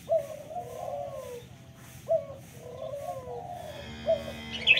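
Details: Local spotted dove cooing: a short sharp opening note followed by a long, soft, wavering low coo, repeated about every two seconds, over steady background hum and a brief high chirp at the end.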